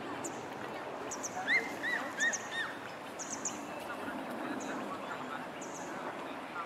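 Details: Only great crested grebe chick on a lake, fed by both parents, begging non-stop with thin, very high piping peeps in quick repeated bursts and a few lower whistled notes over a steady rushing background.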